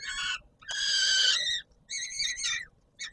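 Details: Peregrine falcon at the Palace of Culture and Science in Warsaw, Poland, on 17 July 2022, calling at feeding time; three harsh, rasping bursts, each under a second, separated by short pauses.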